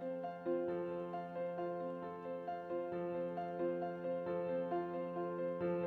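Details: Soft, gently repeating piano music with sustained chords and no animal sounds.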